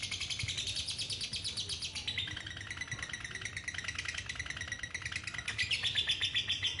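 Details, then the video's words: Female lovebird delivering a sustained rapid trill, the high chattering pulses stepping down in pitch midway and rising again near the end, steady and unbroken. "LOVE BIRD BETINA KONSLET NGEKEK PANJANG, SATU KALI NARIK 2 MENIT"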